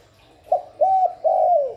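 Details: Calling spotted dove, used to stimulate doves: a short clipped note, then two sustained, mellow coos. The last coo is longest and sags at the end. Quiet background.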